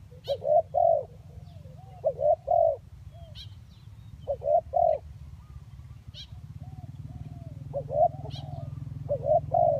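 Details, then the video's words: Spotted dove recording of the 'kacuk' and 'kampung' types, used as a lure, with phrases of mellow, wavering coos in short groups of two or three, repeated every couple of seconds over a steady low hum. "Pikat Tekukur Kacuk dan Tekukur Kampung"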